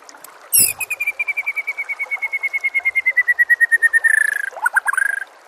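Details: White-rumped shama singing, used to train other shamas, over nature sounds and trickling water: a long rapid trill of evenly repeated notes slowly falling in pitch, followed by short varied phrases.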